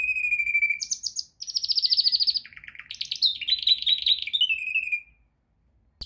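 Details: Canary song used for training: a level whistled tone, then a high rapid rattle, a dense buzzy trill, lower pulsed notes and a descending whistled phrase, ending in silence after five seconds.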